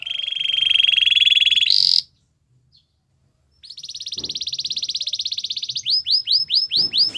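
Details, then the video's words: Belgian canary song: a long buzzy roll rising in pitch, a brief silence, then another extended rapid trill leading into repeated quick downward whistles. "Belgian canary singing"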